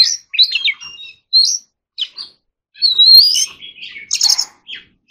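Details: Training song of an Oriental magpie-robin in forest-voice style: separated whistled and trilled phrases, a long rising clear whistle, then a harsh burst and short closing notes.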